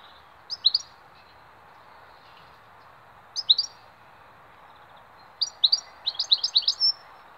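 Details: Goldfinch song: short bursts of bright, high twittering notes at about 0.6, 3.4 and 5.5 seconds, the last a longer run of rapid chirps; steady low background hum throughout.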